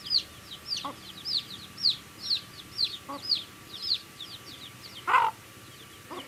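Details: Baby chicks pecking at food, peeping in clear high curved chirps at a brisk pace, with occasional knocks and one louder harsh burst near the end over a faint hum.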